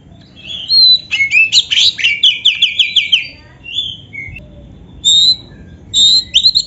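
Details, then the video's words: Oriental magpie-robin, a kept bird delivering a quick run of repeated sweeping notes, then scattered clear whistled phrases separated by short pauses. "suara burung kacer gacor full isian"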